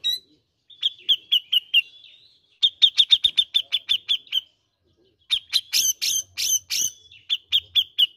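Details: Grey-cheeked bulbul sound for prompting birds to sing: repeated bright chirps in groups of four to nine, quick and evenly paced, with a busier burst of harsher, broader notes before the last series.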